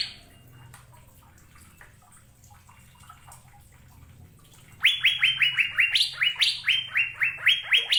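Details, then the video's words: Asian fairy-bluebird, Indonesia: several seconds of faint background, then a sudden loud series of quick upslurred whistles, some notes pitched noticeably higher, continuing to the end. "Burung Cucak Biru"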